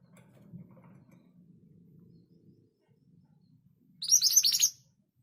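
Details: Scarlet minivet (Pericrocotus speciosus; mantenan gunung), a lively singer, gives a single quick burst of high, sharp, rapidly repeated notes lasting under a second, after several seconds of low rumbling background noise.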